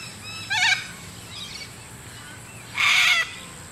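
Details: Little Corellas from a visiting wild flock at Moorooka, Australia: a short nasal harmonic call, a faint softer one, then a loud harsh broadband screech lasting about half a second, with steady low background hum.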